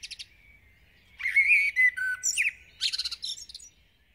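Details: Common blackbird (Turdus merula) singing, from a collection of garden bird songs and calls: a short burst of mellow, fluting warbled notes slides into a squeaky, high-pitched twittering flourish, then falls silent. Clean recording with no other sounds.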